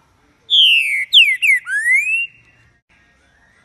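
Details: A Green-winged saltator sings one very loud, rich whistled phrase: a long falling note, two quick downslurs, then a rising slur, all within two seconds.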